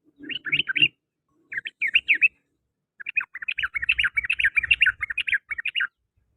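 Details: Afternoon chirping of a sooty-headed bulbul: short groups of sharp, warbled notes, then a longer run of rapid chatter lasting nearly three seconds.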